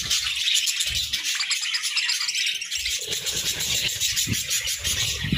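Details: Continuous shrill twittering from pet budgies munching grass and moringa as a winter food, dense and unbroken throughout, with occasional low knocks and crunches from eating.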